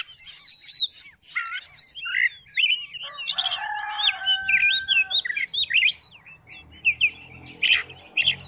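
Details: Oriental magpie-robin singing to coax a silent magpie-robin into song, a dense run of sharp whistles, quick rising and falling slurs and scratchy bursts, with a sustained lower tone in the middle and faint low rumble later.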